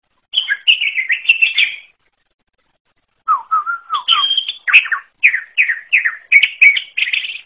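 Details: Greater green leafbird with an unusual song: a chattering phrase, a pause, then lower whistled notes followed by a series of rhythmic downslurred whistles.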